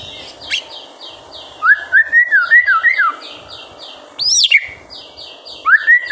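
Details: White-rumped shama master song meant to stir young birds into singing: a rolling series of fluty whistled notes and a sharp high note, with a faint steady high chirping in the background.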